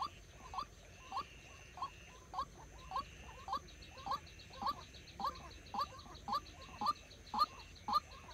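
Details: Trapping decoy white-breasted waterhen in training: a rapid, monotonous run of short rising hollow notes, nearly two per second, fairly regular, over a light background hiss.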